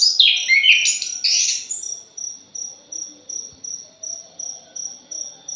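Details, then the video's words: Thrush (punglor) opens with a loud, scratchy, very high jumble of warbles and squeaks lasting about two seconds, after which only an insect's steady, evenly spaced high chirping remains. "PANCINGAN PUNGLOR JALI JOSS....\ JALIMIN BRISIK"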